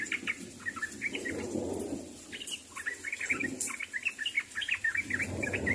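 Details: Sooty-headed bulbuls calling to companions, a busy run of brief chirps and bubbly whistled notes, rapid and uneven, with soft rushing noise swelling underneath.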